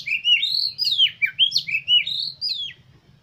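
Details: Oriental magpie-robin (kacer) singing, used as a lure to make other kacer eager to sing, sing constantly and spread the tail: a fast run of varied whistled phrases, rising and falling slurs and sharp downward notes, over a low steady hum.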